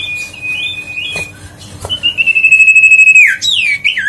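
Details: Huyt co bird song played to make lazy birds sing again: a level high whistle, a gap, then a long throbbing whistled trill that breaks into abrupt descending and rising slurs.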